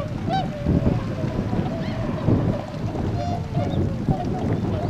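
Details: Tundra swan flock at a retention pond in Azumino, Nagano Prefecture, Japan, late February 2013, heading out to nearby paddies to feed; bugling honks rise and bend over one another against a deep low-frequency rumble.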